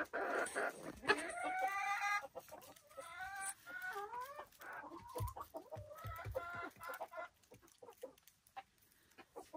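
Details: Silkie chickens on a Vermont hillside homestead, a hen giving drawn-out wavering calls that rise and fall, followed by quick clucks and soft chatter from other birds in the flock.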